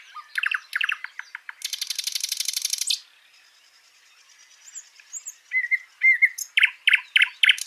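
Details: Real backyard bird sounds from Washington State: a few sharp chips, a dry buzzy trill of over a second, a quiet pause with faint thin whistles, then a run of loud repeated chirped notes.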